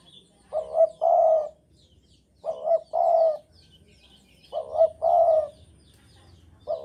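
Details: Javanese spotted dove in breeding mood calling steadily: paired low coos, a short lead note followed by a fuller rolling note, repeated about every two seconds in a regular rhythm against a quiet background.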